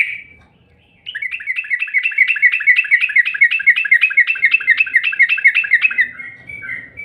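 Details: A yellow-vented bulbul lure call after a second of near silence: a steady rapid chatter of repeated clipped notes lasting about five seconds, then fading into softer notes.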